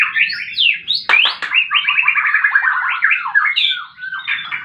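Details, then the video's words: Fighting white-rumped shama singing for bird therapy: looping whistled phrases, a pair of sharp clicking snaps, then a fast rattling series of repeated notes and more swooping whistles. "Murai batu tarung pancing bunyi burung macet"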